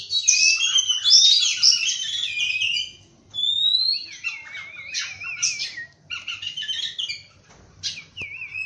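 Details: Oriental magpie-robin singing at dawn: rich chirps give way to separate whistled phrases, including a trilled wavering note, with short silences between phrases.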